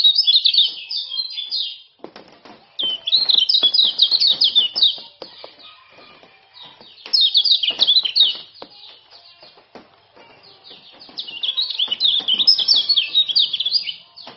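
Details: Rapid 'ciak ciak' calling by a male Lombok common iora, used to train and stir silent birds. Loud two-second bursts of high, jerky chirps alternate with pauses full of soft clicking and tapping.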